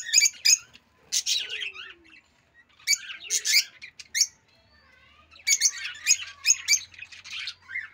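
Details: Loud chirping of a rosy-faced lovebird: three clusters of shrill, grating squawks and chips separated by short quiet gaps, each burst lasting about a second.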